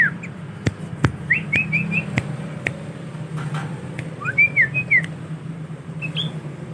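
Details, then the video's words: Tame young male sooty-headed bulbul, a kept bird, practising song. It gives short bursts of clear whistled notes, rising and falling, in two brief phrases with a gap between. Sharp clicks and a steady low hum sound behind. "Burung Kutilang Jantan Jinak Ajar petetan"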